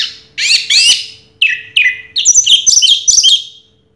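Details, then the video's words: Orange-headed thrush, champion of a 2022 singing contest, opening with two harsh, scratchy bursts before shifting into clear downslurred whistles. The phrase ends in a quick, bright series of rising and falling notes. "Suara Burung Anis Merah Juara Pertama Tahun 2022"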